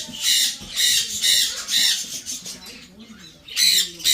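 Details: Young blue-and-gold macaws squawk during hand-feeding at a Florida bird store in Orange City, with food going straight into the crop. Rough, hissing squawks repeat about twice a second, then pause and resume. Low speech and music are in the background.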